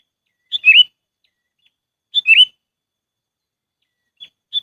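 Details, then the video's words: Sooty-headed bulbul (kutilang) lure call used for trapping birds: two short bubbly whistled phrases about 1.7 seconds apart, each a quick rising-falling warble, followed by brief high chips; otherwise silent background. "SUARA PIKAT BURUNG KUTILANG AMPUH"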